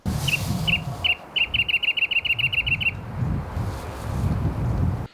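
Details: Shy, secretive Wrentit under cover in chamise-redshank chaparral at about 5,000 ft on Mount San Jacinto near Idyllwild, singing its bouncing ping-pong-ball song: about fifteen bright, even notes speeding into a quick trill, over low wind rumble.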